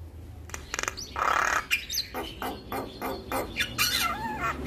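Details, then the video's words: Spirited Javan myna song used as a tutor for young birds: harsh grating bursts, rapid clicking notes and a wavering whistled phrase near the end, busy and varied. "Jalak Kebo gacor Masteran Bikin Burung Jalak Muda Cepat Respon"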